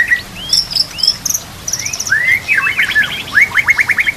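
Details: White-rumped shama (murai batu) song used as a training recording for other murai birds: clear whistled notes, some rising and some falling, then a fast run of sharp downward-sweeping notes repeated in a rhythmic trill.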